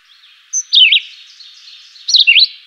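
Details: Chivi vireo singing two quick melodious phrases of falling then rising whistles, roughly one and a half seconds apart, against a faint high chatter.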